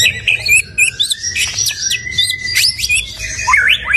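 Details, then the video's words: Stone magpie giving high thin twitters and sharp chips, ending in a few quick down-up whistled notes. "Stone Magpie Bird - Beautiful Bird Song"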